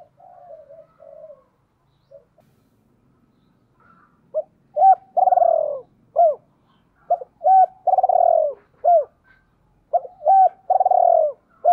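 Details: Decoy spotted dove calling in the 'gáy gọi hai hậu' style. Quiet broken coos come first, then loud repeated phrases: short arched hoots, long vibrating coos and paired clipped notes, steady and strong.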